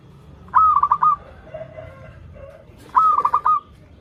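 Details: Local zebra dove, played as a lure for birds learning to sing: two rapid stuttering coo phrases ending in level tones, separated by softer lower-pitched notes in the gap.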